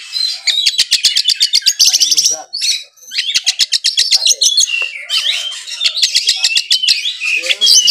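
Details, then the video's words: A pet Oriental magpie-robin in Kudus, Indonesia, sings a loud, nonstop medley of sharp, rapid high chips, whistles and buzzy trills, with imitations of other birds mixed in, alongside background music. "KACER GACOR FULL NEMBAK ISIAN MEWAH ,GEREJA TARUNG TENGKEK"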